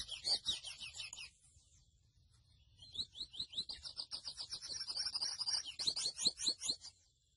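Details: Grey seedeater, known as mochuelo, sings a quick jumble of high notes, falls silent for about a second and a half, then resumes with clear upslurred whistles that run into a long, fast, buzzy trill.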